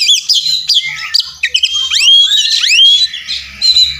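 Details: Oriental magpie-robin (kacer) in fighting mode, puffed up and singing persistently with full mimicry fills: loud, varied whistles, sweeping upslurred notes and harsh chattering bursts in quick succession, with a faint low hum beneath.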